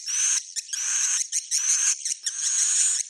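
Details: Short bursts of shrill buzzy chatter, each about half a second long, with a thin whistled tone running through them, given as a swiftlet roosting call.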